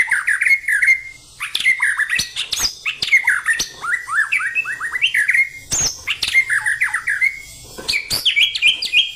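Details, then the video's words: Loud, varied white-rumped shama song of quick whistled notes that slur down and up, grouped into lively phrases separated by brief gaps, with occasional sharp clicking sounds. "MURAI GACOR GAYA JOSSS"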